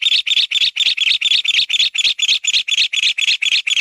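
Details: Rapid rasping notes from a mountain bamboo partridge, evenly spaced at roughly four per second, each a short burst of chatter, repeated continuously and loudly throughout.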